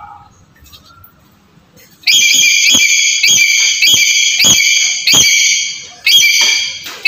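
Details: Black-capped lory recording meant to provoke a silent bird to call. After two quiet seconds come a run of loud, grating, ringing screeches. Each lasts half a second to a second, with about seven in close succession and brief gaps between.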